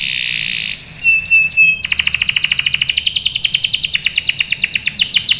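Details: Canary song used as a lure to make other canaries reply: a steady buzzy tone, a brief whistle, then a long fast rattling trill of even, rapid notes.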